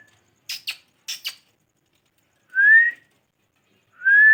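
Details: Parrot making two pairs of dry clicks, then two smooth upward-sliding whistles about a second and a half apart, in a quiet room.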